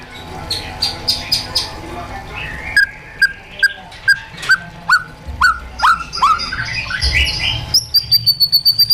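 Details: Caged white-rumped shama giving wild-style song during training: a string of short upslurred whistles repeated roughly every half second, closing with a quick high trill of piping notes.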